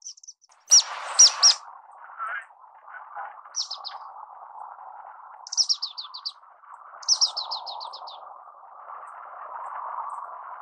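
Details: Orange-cheeked waxbill singing: thin high descending whistled notes in short rapid series of five to six, repeated several times, over a steady low rushing background noise.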